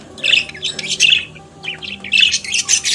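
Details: Budgerigar, a pet parakeet native to Australia, chattering in quick scratchy chirps and warbled squeaks, two dense bursts around a short quieter gap.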